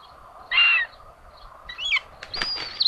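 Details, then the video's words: Common buzzard chicks at a nest in Tiszalök, Hungary, on June 8, 2022, both young sharing food: a short harsh, rasping burst, then a thin high whistle that wavers and drops at the end. "Common Buzzards | Both babies sharing food"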